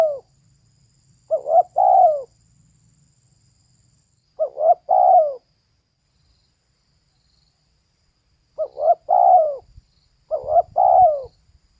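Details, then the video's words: Repeated three-note cooing of a female spotted dove in four phrases at uneven gaps. Each phrase has two short notes and then a drawn-out burry coo. Faint background hum and light rustling are heard. "เสียงนกเขาใหญ่/Suara Burung Tekukur"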